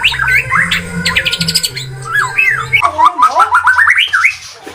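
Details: White-rumped shama lure song for stressed, quiet birds: bubbling whistled notes and a quick series of rising whistles, partly masked by a low droning background noise.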